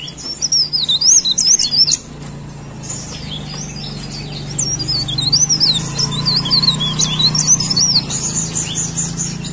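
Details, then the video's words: Leaf warbler in lively song: rapid, high, twittering phrases of thin zigzagging notes, broken by a short pause, then resuming. A steady low hum runs underneath. "CIKRAK DAUN GACOR"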